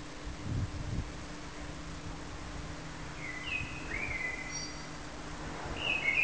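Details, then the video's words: A common blackbird sings a few mellow, fluty whistled phrases ending in higher twittery notes, over steady low background rumble and hum. "Feketerigó énekel"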